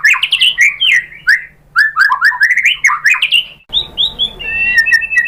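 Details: White-rumped shama song played as a lure to provoke birds into singing: rich varied whistled phrases, rising and falling slurs in quick succession, then a pause and slower sweet whistles over a low background hum.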